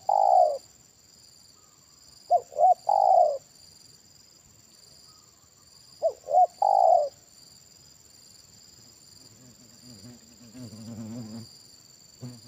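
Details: Spotted dove (tekukur) with a big single-'kuk' voice, in a bird-trapping lure session: deep, mellow hooting coos in short two- or three-note phrases a few seconds apart, over faint insect hum and brief low voices.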